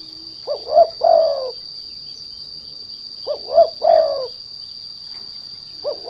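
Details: Lure call of the derkuku to make untrained turtledoves sing: two full three-note hoarse coos roughly three seconds apart and the start of a third, over a steady thin high whine.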